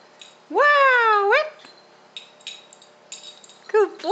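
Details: A one-and-a-half-year-old male Pink and Grey Galah kept as a pet indoors gives one long drawn-out rasping screech, then soft chatter and two short squawks at the end.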